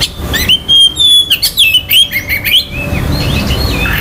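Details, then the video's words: Oriental magpie-robin belting out a rapid string of clear whistles, looping slurs and harsh notes for nearly three seconds before quieter faint notes. The song is said to rouse other males' aggression and breeding urge. "KICAUAN KACER || CEPAT MERANGSANG KACER LAIN TERDONGKRAK EMOSI DAN BIRAHINYA."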